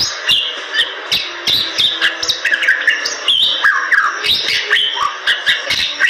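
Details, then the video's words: Energetic Bali myna song of the gacor type: dense harsh squawks and chatter blended with bright slurred whistles and repeated snapping clicks, with a soft low steady tone underneath. "Jalak Bali Gacor"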